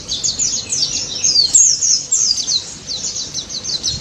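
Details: White-eye (pleci daput) in fast ngalas song meant to draw replies from silent white-eyes: rapid, repeated high chips, roughly three per second, mixed with bright descending whistled slurs.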